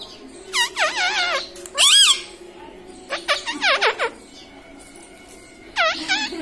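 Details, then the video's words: Household parrot that says "mummy" and "papa" utters strong, rich-toned phrases in bursts, each with a wavering, looping pitch, separated by short pauses. A final burst comes after a quiet gap. "मम्मी - पापा बोलने वाला तोता"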